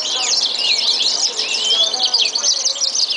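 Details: Green singing finch (yellow-fronted canary) song: a fast, continuous high twittering of trills and sliding whistles, overlapping with a yellow canary singing alongside.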